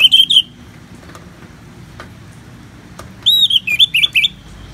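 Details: Orange-headed thrush singing ngeplong for therapy, with natural rain in the background: a brief warbled phrase, a long hissing pause with faint ticks, then a run of looping, downslurred whistled notes.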